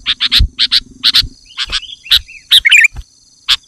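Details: A male sooty-headed bulbul, calling a rival in the afternoon, gives paired chirps that grow sparser, broken by one quick bubbly twitter near the end.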